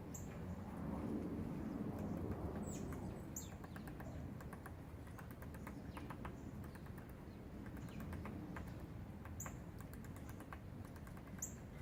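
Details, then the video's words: Woodpecker pecking: a steady series of sharp, dry taps, about four per second, over a low rumbling background, with short high chirps from other birds now and then. "Woodpecker pecking"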